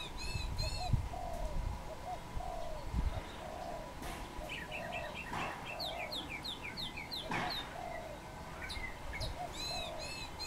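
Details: Wild dove perched on a tamarind branch, giving soft low coos in a steady series throughout, while other birds add high chirps and quick whistled trills overhead.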